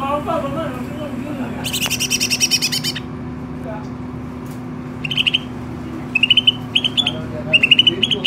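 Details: Greater green leafbird in full, lively song: a harsh buzzy rattle, a pause, then short bursts of sharp, clipped whistled phrases repeated several times, with a constant low background hum.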